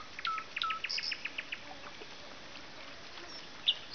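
A nightingale gives a fast run of about eight hard, repeated notes mixed with low whistles. A quieter pause follows, then one sharp high note.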